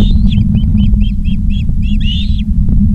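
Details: Osprey at a Charlo, Montana nest, 19 August 2023, afternoon live camera: a rapid string of about eight short clipped whistles, ending in a longer rising-and-falling slurred whistle, above a loud low hum.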